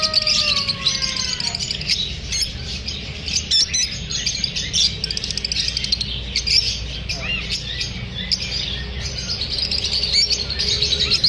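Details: Unsettled lovebirds chatter in a long, unbroken burst of shrill, rapid chirps, several birds overlapping, after feeling unsafe during filming; a couple of falling whistled notes open the passage over a low constant hum.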